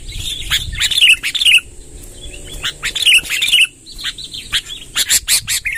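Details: Sooty-headed bulbul song in the 'tembakan' style, described as long rolling ('ngerol panjang'): short bright chirped phrases in bursts separated by quiet gaps, over a steady high-pitched whine and low background rumble.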